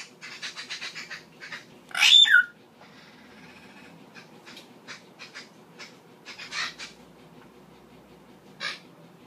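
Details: Indian hill myna pair: a burst of loud harsh screeching with a squeaky whistle near the start, amid scattered soft clicks and rustling notes, and one later rasp.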